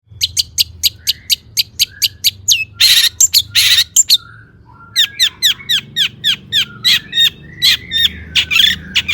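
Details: Long-tailed shrike in lively full song, used as a lure to make other shrikes sing; rapid series of sharp, high chirps, then two harsh raspy bursts, then repeated downslurred notes with short buzzy phrases.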